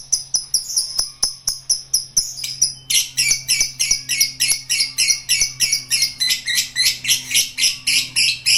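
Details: Long ngekek trill from a lovebird: evenly spaced high chirps that, after about three seconds, swell into a denser, louder squawking chatter, over a low constant hum.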